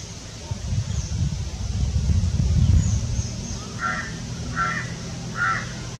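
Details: A Malabar pied hornbill eating a caterpillar while birding in the Western Ghats, India: three harsh, nasal cackling notes under a second apart after low wind rumble, with faint thin whistles high in the background.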